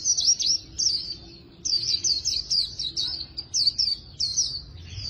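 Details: High, fast twittering 'líu đấu' song of an Oriental white-eye under voice training, in a style compared to a magpie-robin: clusters of squeaky slurred notes in quick bursts separated by short gaps.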